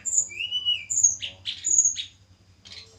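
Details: Small, sweet-voiced tledekan gunung of Java in a pairing setup: drawn-out high whistles interleaved with rough chattering notes, fading to a faint final chip.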